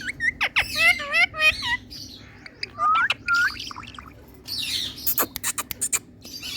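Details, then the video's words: Indian ringneck parrot, described as a talking parrot in a happy mood, giving a burst of harmonic squawks and rising whistled notes in the first two seconds, then more chirps and sharp clicky sounds, over low background hum. "Indian Talking Parrot Tiger In Happy Mood"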